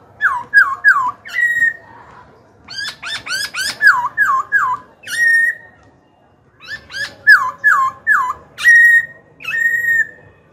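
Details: Young Black-throated Laughingthrush song for calling wild-caught rivals to fight and training chicks. Repeated phrases of looping down-slurred whistles, rapid clicky rising notes and a held whistle, the sequence given twice with a short pause between.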